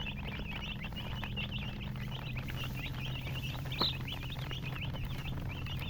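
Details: Baby chicken chicks chirping: a dense, continuous chorus of high, short, rising peeps from several birds overlapping throughout, with one louder sharp note near the middle, over a steady low hum.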